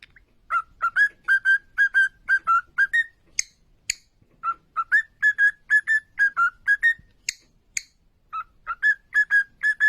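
A cockatiel whistles a clear, tuneful phrase of short rising and falling notes, repeated three times.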